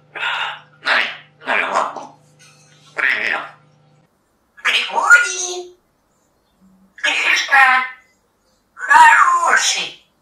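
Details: Captive male African grey parrot from Russia, a competitor in a Polish talking-bird championship, talking indoors in short humanlike phrases. Clear spoken bursts of about a second each are separated by pauses, in a small quiet room.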